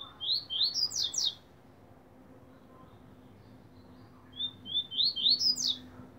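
A Double-collared Seedeater sings two bright phrases of quick, rising slurred notes climbing in pitch, each lasting about a second, with a faint low hum behind.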